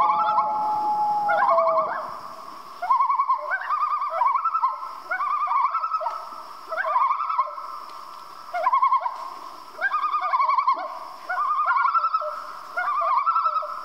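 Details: Common loon calling after dark: a smooth opening wail gives way to a long series of wavering, yodel-like tremolo phrases repeated about every second, with short pauses between bursts.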